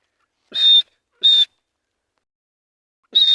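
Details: Grey francolin roaming free in jungle in breeding season, two loud shrill whistled notes in quick succession, then a long pause before a third piercing note.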